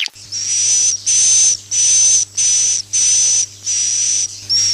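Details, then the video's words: Swiftlet roosting sound for luring birds to nest houses. Evenly spaced hissing buzzes, each with a thin high whistle, come about every 0.6 seconds, with a low hum beneath. "suara inap burung walet"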